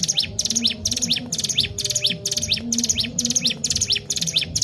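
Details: Sunda warbler song for provoking other birds to sing: rapid shrill trills alternating with short sweeping slurs, repeated at an even quick pace throughout, with a soft low background hum.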